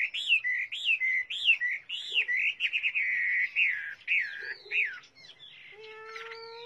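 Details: Chinese hwamei song with looping whistled phrases that rise and drop, some rapid warbling in the middle, ending with a steady, lower, even tone.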